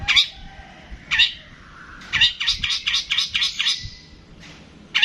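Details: Long-tailed shrike song with loud rasping squawks and a fast run of about eight harsh, evenly spaced notes, followed by a short pause and another squawk.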